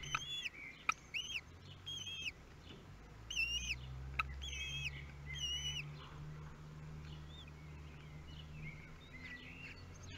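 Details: Common kestrels at their nest in Théding, France, on 23 May 2022, as the newborn nestlings are fed for the first time: repeated wavering, arched whines in two bursts, followed by faint short calls over a low rumble, with occasional clicks.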